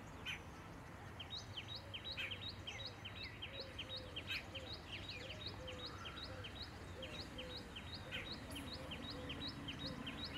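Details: Lesser goldenback woodpecker (black-rumped flameback) calling. Crisp high notes repeat steadily, about two to three per second, throughout. Softer lower whistles from another bird run underneath, with a constant low background hum.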